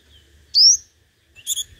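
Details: A single sharp, rising, high whistled note from a five-colored sunbird decoy bird singing in competition, followed by a few quick, thin, higher chips.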